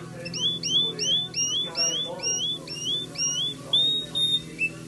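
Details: White Timbrado canary, California, repeating bright upslurred whistled notes about twice a second, with a low background hum.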